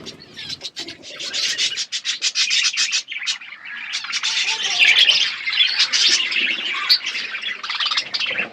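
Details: Budgies relaxing, continuous high chattering and rapid chirps from several birds, rising and falling in loudness with brief pauses.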